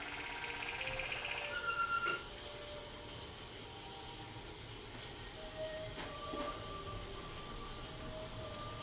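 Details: Low rumbling mechanical noise with a few sharp tonal squeals and clicks, no animal voice present.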